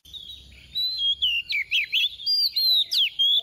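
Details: Female oriental magpie-robin used as a lure, singing soft 'tìu tíu tiu' phrases: bright whistled notes rising and falling, delivered in quick succession, each phrase lasting a fraction of a second.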